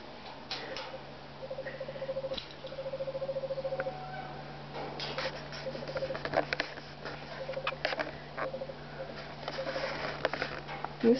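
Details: A male pet screech owl singing indoors at night in an office with the lights turned up full, brighter than he likes, gives soft, even, monotone trills in bursts of about one second, over electrical hum, clicks and a man's voice.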